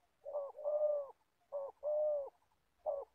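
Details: An old spotted dove decoy used in trapping, in Gia Lai, Vietnam, gives low, hollow coos in a repeated phrase: a short note then a longer drawn-out one, twice, then a further short note.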